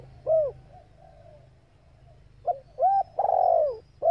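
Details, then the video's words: Female spotted dove giving excitement calls for males; a short coo, a pause, then a phrase of a quick grunt, an arched coo and a long loud falling coo, with a low background hum. "tiếng chim cu gáy mái tập bổi kích mồi căng lửa"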